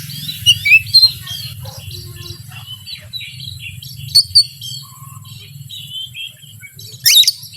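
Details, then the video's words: Oriental magpie-robin (kacer) lure song meant to provoke other birds: a steady flow of soft whistles and chirps, a few louder sharp notes, and a low engine-like hum throughout. "PANCINGAN BURUNG KACER YANG SUSAH PANAS"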